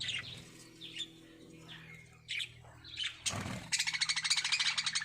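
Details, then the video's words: Lovebirds in a breeding setup give spaced sharp chirps, then a dense run of fast, evenly pulsed squeaky notes near the end, over a low hum. "Love Birds Singing | Love Birds Breeding"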